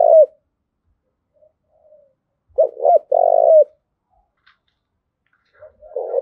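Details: Low, mellow coos from a spotted dove in the 'thúc gù' urging call used for decoy training and rousing males: a brief note, a pair of quick coos and one long coo, separated by silence.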